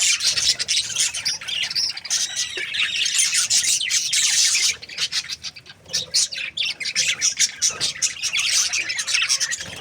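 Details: Budgerigars in a breeding pair, called happy, fill the air with dense hissy chatter and clicks, continuous at first, then breaking into choppier bursts midway.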